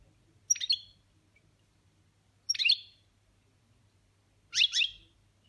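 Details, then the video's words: Pet European goldfinch giving 'boniments' song, three bright, tinkling twittered bursts about two seconds apart, each high and quick, over a faint low hum. "Chardonneret boniments"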